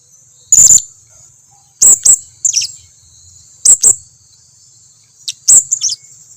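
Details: Blue-crowned hanging parrot lure call, meant to make other hanging parrots, even rarely calling ones, answer: four bursts of very high, shrill, squeaky double notes spaced over six seconds, above a steady thin high-pitched whine.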